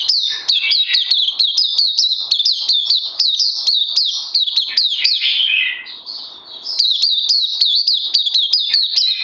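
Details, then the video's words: Oriental white-eye, a kept songbird, 31 May 2020 on its second supplement day: a rapid run of shrill downward chirps, a short lower warbled dip and soft pause, then the quick chirping picks up again. "Puteh Crazy LG"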